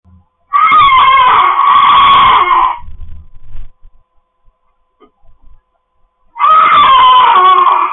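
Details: Pet cockatoos kept indoors, their noisy reality at home: two long, harsh, raspy screams of about two seconds, then a second shriek after a quiet gap with faint low thumps.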